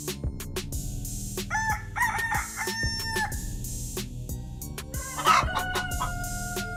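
A Sussex hen gives drawn-out, wavering calls that rise and fall, with a louder outburst near the end, over steady low rumbling and knocking.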